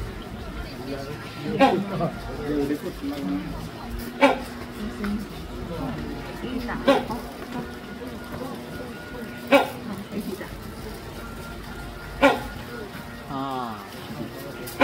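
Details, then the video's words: A captive great hornbill at Taipei Zoo, Taiwan, repeats a loud clipped bark about six times at a steady pace of roughly one every three seconds, while people chatter nearby throughout. "雙角犀鳥Great Indian Hornbill叫聲"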